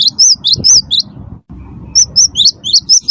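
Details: Cinereous tit of the wingko type, a lively, chatty singer, used to lure other birds into singing: two bursts of sharp high whistled notes, each burst alternating a level note with a down-slurred one, about two per second, over a low rumbling background.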